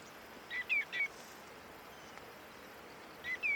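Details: Greenshank calling in Korea in early October 2024, a passage migrant there: a ringing three-note whistled 'tew-tew-tew', then silence and a further two matching whistles near the end, over soft steady background noise.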